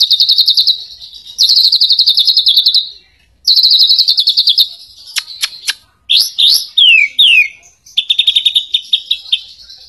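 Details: White-rumped shama song played to provoke other shamas to sing: long rapid chattering trills repeated with short pauses, then crisp clicks and swooping whistled notes that rise and fall, closing with another fast trill.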